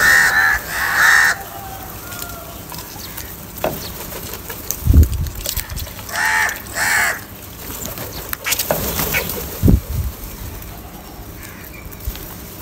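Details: Crows squabbling over food give bursts of harsh caws early and around the middle, with thumps and scattered clicks between the calls.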